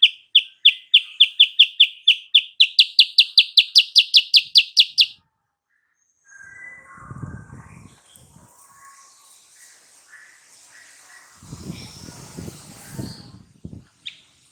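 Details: Sooty-headed bulbul song used as a lure to provoke a rival into answering: a fast train of about twenty sharp, high chips over five seconds, rising slightly in pitch, then quiet rustling and low thumps.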